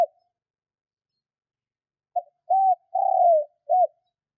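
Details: After two seconds of silence, a spotted dove delivers one cooing phrase, a call for prompting kept doves to answer quickly: short note, arched coo, long falling quavering coo, short rounded ending.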